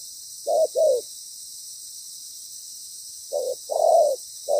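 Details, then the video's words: Decoy spotted dove, loud and well-patterned, calling during ground-bait trapping; two low coos, a long pause, then a further short-long coo pair, with constant faint high hiss behind. "Bổi lớn tiếng,chim bài bản"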